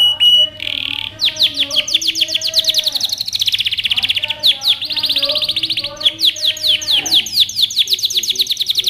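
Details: Excited male canary singing at a female to prompt mating: a brief whistled note and buzz, then long runs of rapid, sharply descending chirps in varied speeds, with fainter lower warbled tones beneath.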